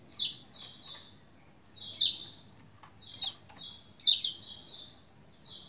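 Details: Lombok white-eye in lively song meant to trigger other white-eyes; repeated high chirpy phrases with loud bright onsets about every one to two seconds, each followed by softer descending notes.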